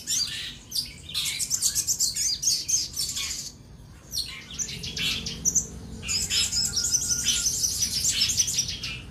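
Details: Common iora (sogon) in vigorous rival-challenging song: long runs of fast sharp chirps, squeaky scratchy notes and thin whistled trills, a short pause, then a sustained chattering stretch; faint wingbeat-like flutters and background hum.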